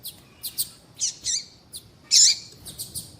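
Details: Female yellow-bellied seedeater calling to attract males: soft, high chips and a couple of buzzy notes, then one loud, harsh warbled call, followed by more short chips.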